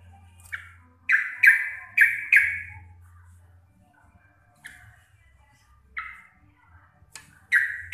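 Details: Sooty-headed bulbul, a local Javanese type, singing a long lively chattering bout: bright descending notes near the middle register in quick clusters of four, then scattered single notes after pauses, clear and loud with low background hum.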